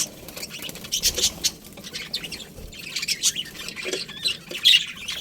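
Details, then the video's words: Budgerigar colony heard more softly: scattered high chirps and squawky notes, with a sharp whistled flourish near the end over a quiet hiss. "Cute Budgies Chirping Sounds"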